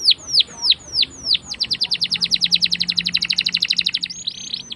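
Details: Canary in long rolling song, used to teach young canaries: four slow falling whistles, then a fast steady trill of bright pulses ending in a short buzzy roll.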